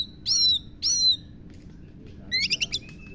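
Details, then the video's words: Caged-bird-style oriental magpie-robin song imitating a lovebird: two loud, drawn-out whistled notes that slide downward, a pause, then a short burst of four sharp, rapid chirps and a faint, thin whistle. "kacer isian lovebird"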